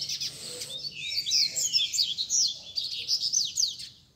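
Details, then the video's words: A group of caged Rusty-collared seedeaters sings at a Sunday keepers' meeting, a session meant to warm up a competition bird. Continuous high, sweeping whistles and fast chattering notes overlap throughout, loud and lively. "BADERNA de Coleiros TOP - Ótimo para esquentar seu Coleiro de Roda!!!"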